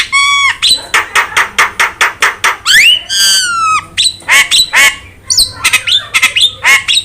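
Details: Jalak bird on a recording for stimulating other birds to sing: a nasal harmonic note, a rhythmic chain of rough clicks, a long falling whistled squeal, then mixed chatter and whistles.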